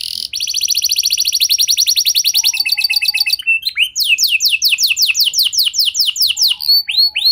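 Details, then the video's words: Canary song used as a lure to get other canaries to sing: a rapid, buzzy trill of evenly repeated notes for about three seconds, then a run of slower, sharp downward-sweeping whistled notes. "Pancingan Suara Burung Kenari Lagu Unik! Buat Kenari Mana Saja Pasti Ikut Bunyi"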